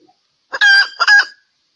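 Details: Hen during mating, valentine season: two loud, harsh, nasal squawks in quick succession, the first longer and slightly falling, on an otherwise silent background.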